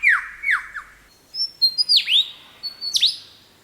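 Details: A male Superb Lyrebird mimics another bird species while trying to outsing rivals: three quick downslurred whistles, then higher, sharper whistles that swoop down, repeated about once a second over a quiet forest background.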